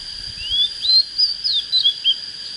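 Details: Young Oriental magpie-robin just coming into song, said to have a proper standard voice: a rising whistled slur, then a run of short clear whistled notes at about three per second, over a steady high electronic tone.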